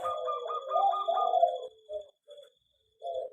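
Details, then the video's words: Zebra dove singing in an aviary: a rapid beaded trill of cooing notes rolling for about 1.5 seconds, then three short separated coos spaced roughly half a second apart, with a faint constant high-pitched tone in the background. "perkutut di aviary lebih cepat gacor dan bunyi"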